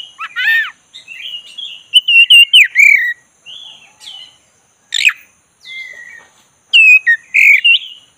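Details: Black-breasted Oriental magpie-robin singing, meant to stir a sluggish bird into full song. Varied whistles, buzzy trills and slurred falling notes come in irregular bursts separated by short pauses.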